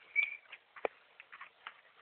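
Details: A pet cockatoo that can say "kakak" and imitate laughter gives a brief whistled note, then a string of short, scratchy, clipped syllables like mimicked chatter, with one sharp click partway through.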